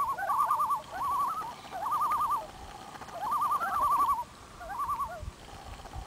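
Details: Five common loons singing together on an autumn morning on Bob's Lake in Ontario, with repeated rapid quavering tremolos that rise and fall in overlapping bursts, followed by a brief quieter gap before a final phrase.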